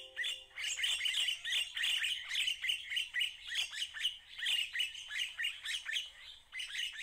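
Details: Red-winged starlings in a Pretoria garden, January 2024, giving dense chattering and scratchy squawks with quick down-slurred notes, a steady low tone sounding briefly at the start.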